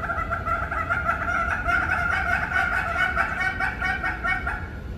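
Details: Captive red-billed hornbills singing, a steady run of hoarse, clucking notes, roughly two each second, in a continuous mid-pitched chorus with a faint low background rumble.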